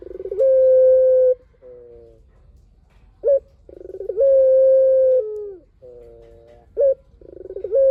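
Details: Spotted dove, vigorous long song used as a lure for other doves to call back. Repeated phrases of a rolling start and a sustained flat coo about a second long, separated by soft lower coos and short sharp notes.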